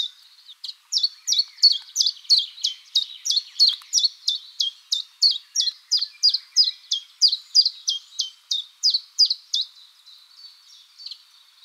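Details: A common chiffchaff sings its mating song in a spring forest, a steady run of about twenty-five high, sharp notes, roughly two or three per second, see-sawing between slightly higher and lower pitches.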